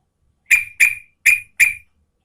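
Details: Female yellow-vented bulbul calling the male: four short, sharp chirped notes in two pairs, each bright and slightly buzzy, dropping off quickly, with silence around them.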